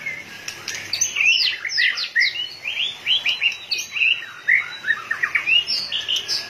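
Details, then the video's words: White-rumped shama in peak excited condition, flicking its tail mechanically, pours out a fast series of bright upward-sweeping whistles. The notes are closely spaced and rhythmic, with some high thin phrases. "chòe lửa căng lửa.đập đuôi như cái máy | murai batu"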